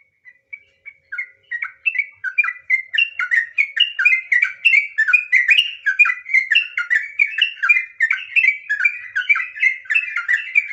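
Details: Trucukan, sooty-headed bulbul, singing gacor in extended ropel panjang as a lure: starts with a few spaced whistles, then builds into a dense, rapid, unbroken stream of chattering, whistled slurs lasting several seconds.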